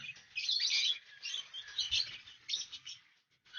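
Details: A breeding colony of lovebirds, housed with cockatiels in the 2020 breeding season, gives dense, high, scratchy chattering in overlapping bursts that fades toward the end.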